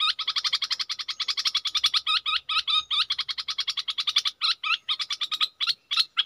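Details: Decoy Red-whiskered bulbul gives a long, fast churring rattle of regular pulses, interspersed with swooping whistled notes, the rhythm briefly broken near the end.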